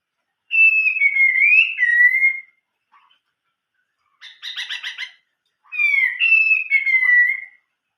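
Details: Chinese hwamei song, the old-forest voice: clear whistled notes wavering and falling, then a grating stuttered series of harsh notes, then more rich whistled phrases after a pause.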